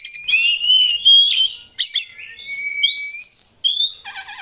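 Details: Oriental magpie-robin lure song for getting birds to sing: long smooth whistled notes, some rising and some steady, with a short harsh burst at the end.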